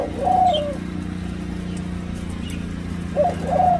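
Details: Hybrid of Senegal dove and ringneck dove in Thailand cooing at the nest: a gentle level coo, a long gap filled by steady low hum, then two more soft coos close together.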